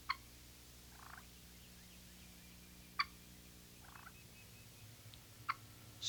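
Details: An eastern wild turkey hen gives soft, rolling contented purrs between sharp, clipped putt notes spaced a few seconds apart, over a low background hum.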